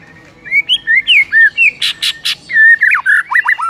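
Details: Morning masteran singing of a white-rumped shama, rich varied whistles rising and falling in rapid sequence, broken midway by three harsh raspy bursts before the whistling resumes.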